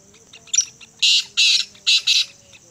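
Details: Black francolin, known locally as kala teetar, calling: a quick scratchy note, then four loud, harsh, grating bursts in two close pairs within about a second and a half, over a quiet background.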